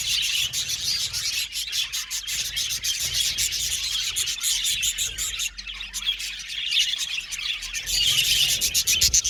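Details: Budgerigar colony kept in an aviary, chirping naturally: a crowded high twitter with quick repeated ticking pulses about four per second, a brief lull midway, then chatter building louder again.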